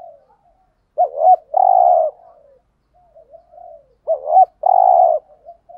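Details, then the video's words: Spotted dove cooing, from a lure recording of male and female birds used to stir wild doves, in 'thúc gù' and 'gáy gọi' styles: two loud hoarse phrases, a quick double note then a long rough coo, repeated about three seconds apart. "chim cu gáy kích bổi thúc gù/ chim cu gáy mồi bài bản [ thúc gù. gáy gọi ]"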